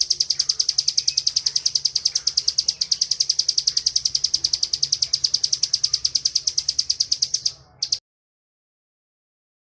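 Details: Ngebren song from a caged bar-winged prinia, a training recording for other birds: about eight seconds of relentless rapid, high chipping that falters briefly at the end, followed by silence.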